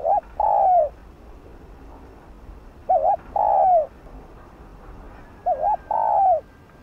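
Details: Spotted dove song used as a lure to make other doves sing: a quick wavering two-part note followed by a drawn-out, falling coo. The phrase comes three times, about every 2.7 seconds, with no other sounds.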